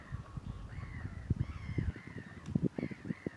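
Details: Courting common mergansers on Fyris Creek, early spring day of April 2 2022, males chasing each other after few females; drawn-out, slightly bending nasal notes in a near-continuous series, with low rumble and thumps beneath.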